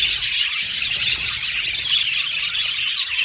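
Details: A colony of budgies in an aviary chirping together, a thick high-pitched babble of tweets and brief squeaky notes, one sharper note standing out midway.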